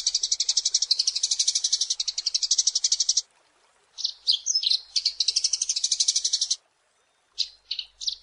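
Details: Eurasian tree sparrow, singing in lively 'gacor' style, recorded as masteran training material for songbirds: dense, rapid, high buzzy chirps in a three-second trilled run, a pause, broken bursts, another long run, then a few short chirps.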